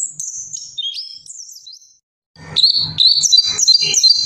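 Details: Orange-headed thrush: high slurred whistles fading out, a moment of silence, then loud, sharp, repeated notes that come in quick succession, mixed with faint thuds.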